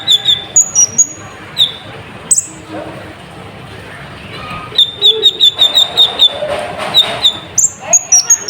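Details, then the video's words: Sunbird pouring out a full, varied song used to stir up other birds: bursts of high, clipped whistles and downslurs, a rapid string of repeated notes later, with a quieter gap where soft voices are heard. "Pancingan Burung Konin Gacor Full Isian ⁉️ Efektif Untuk Menaikkan Emosi Burung"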